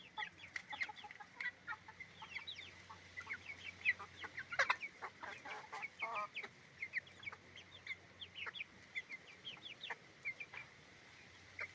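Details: Roosters and hens on a chicken farm, many birds calling at once: dense overlapping short sharp clucks and squawks throughout, a louder burst of harsh calls near the middle, over a steady low background hum.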